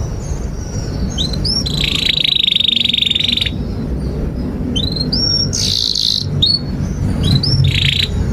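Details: Singing canary used as a tutor for young birds: hooked chirps and buzzy sustained trills in short bursts, with pauses between, over a noticeable low background rumble.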